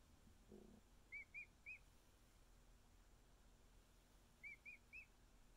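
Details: A week-old male emu chick cuddled by keepers gives two groups of three thin, arched whistled peeps a few seconds apart, with a brief soft rustle near the start.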